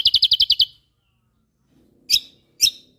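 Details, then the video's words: White-eye (kecial kombok) of Lombok, a songbird training recording: a quick burst of seven high, clipped chips, then silence broken by two sharp, explosive notes. "Masteran Burung Kecial Kombok Lombok Gacor Full Tembakan Mewah"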